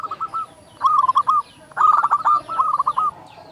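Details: Local Indonesian zebra dove singing actively in a big voice, used as a lure for other doves. Quick stuttering coos run into short rolling trills, repeated in close succession with brief pauses between phrases.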